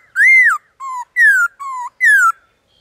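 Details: Black-throated laughingthrush singing in a wild forest, alternating high arched whistles with lower, flatter notes, five loud phrases in under three seconds over a quiet background.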